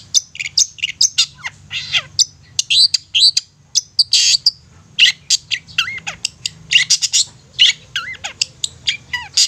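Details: Lure song of a long-tailed shrike, used to spur silent or sluggish shrikes into eager song: nine seconds of dense, varied chatter mixing harsh bursts with down-slurred whistles, almost without pause.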